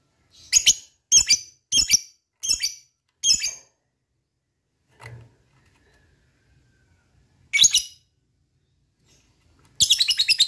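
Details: Lovebird giving harsh, scratchy high chirps, five spaced about half a second apart, a lone rasp later, then a fast chattering trill starting at the end; recording meant to prompt other lovebirds into ngekek song.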